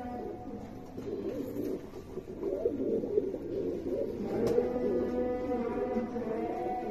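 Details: Low, burbling coos from six pairs of American fantail pigeons kept together. The calls rise in loudness after a quieter start, with rapid pulsing notes and several birds overlapping.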